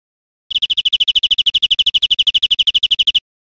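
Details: European Greenfinch singing in Spain, 2013: one even, rapid trill of clear chirps, about eleven notes per second, lasting nearly three seconds against a silent background.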